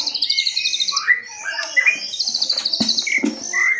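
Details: Recorded as a 2022 lure for white-rumped shama: rapid stuttering high notes and short rising whistles, with a few low croaking blips mixed in.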